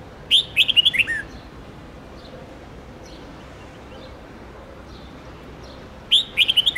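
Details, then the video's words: Red-whiskered bulbul long training song for young birds; two fast phrases of about seven loud, bubbling whistled notes each, about six seconds apart, with soft faint chirps between them and low hiss. "Luyện chào mào Hót Nhiều Giọng âm 7-8-9-10 cực dài/Ép chào mào non,má trắng học giọng hiệu quả"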